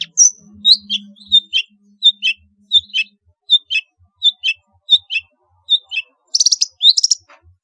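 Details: Vigorous, varied Long-tailed shrike song used to stimulate other shrikes to sing: evenly spaced pairs of high squeaky chirps repeated about twice a second, ending in two fast buzzy trills.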